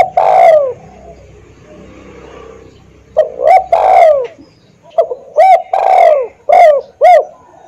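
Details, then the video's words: Spotted dove (tekukur), a decoy bird, cooing: a long falling coo, a pause, then a run of short clipped coos mixed with drawn-out descending notes, loud and close against a quiet background. "Suara Denak Tekukur / Derkuku"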